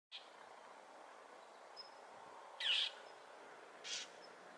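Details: Northern mockingbird on Potrero Road, Newbury Park, voicing displeasure at a hawk, believed to be a Cooper's hawk, perched on a power pole and repeatedly flying at it: two harsh, raspy bursts about a second apart after a faint short note, over steady hiss.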